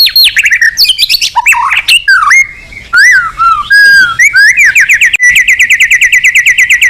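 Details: Male white-rumped shama from Indonesia in vigorous, agitated song packed with imitated phrases for bird therapy: loud varied whistles, swoops and chatter, ending in a steady rapid series of repeated chips.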